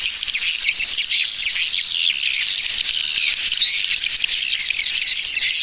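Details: Continuous high-pitched swiftlet twittering, a 'Tarik Permata' attraction call for pulling in swiftlets, released at the end of 2019; many overlapping chirps and squeaky whistled slurs form a constant, even chorus.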